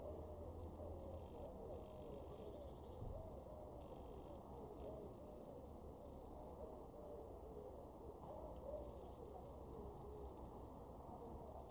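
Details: A common wood pigeon (Columba palumbus) in a garden in Weener, East Frisia, northwest Germany, in August 2023, gives low, soft, hooting coos in a muffled rhythmic phrase over a steady low background rumble.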